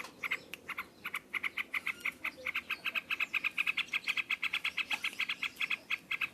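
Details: A yellow-vented bulbul sings loudly in the "ngropel" style. Scattered bright notes quicken into a steady rolling chatter of about two notes per second and faster, continuing to the end.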